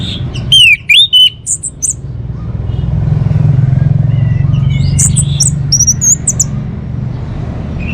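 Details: Orange-headed thrush: a loud downward-then-upward whistled slur with quick notes near the start, a long pause filled with low rumbling, then a burst of high, piercing chips and twitters.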